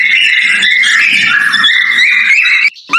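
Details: A male cockatiel gives its breeding mating call, a bright warbling whistle wavering up and down for nearly three seconds, then breaks off before a short rising whistle.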